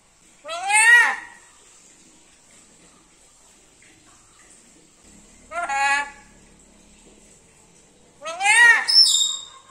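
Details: Sweet-voiced talking from a kept black-capped lory: three strident, upward-sweeping harmonic utterances spaced several seconds apart, the last one doubled, over a quiet room.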